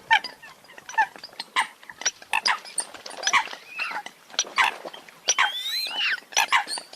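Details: Flock of Eurasian coots giving short, harsh, honking calls in quick irregular bursts, with a few higher squealing notes that slide up and down near the end.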